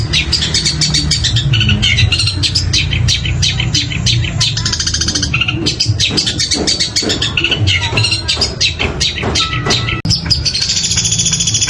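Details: Long-tailed shrike singing in a mix of woodpecker calls and other borrowed notes: rapid, sharp clicking and chattering bursts, dense and fast-repeated, with brief whistled strokes near the end over a steady low rumbling hum.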